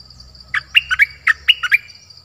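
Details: Streak-eared bulbul sings a brief phrase of six lively chirps, each a fast swooping note, delivered in quick pairs over a faint high whine and low hum.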